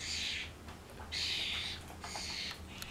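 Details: Common starlings in a noisy racket, three long hissing, rasping screeches following one another with brief pauses, over a low constant hum.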